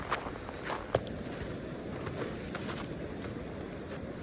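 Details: Outdoors in harsh winter cold, footsteps and a few sharp knocks sound over a low, steady background rumble, with no animal voices heard.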